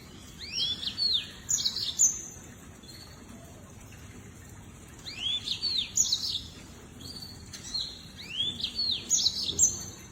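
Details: Lemon-breasted canary chirping: high, thin, sweeping whistles rise and fall in short bursts, with a phrase about every three seconds. A steady hiss of background noise runs underneath.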